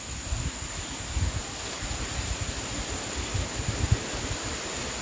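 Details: Outdoor wind buffeting and low rumble are heard under a steady high electronic whine, with no animal calls.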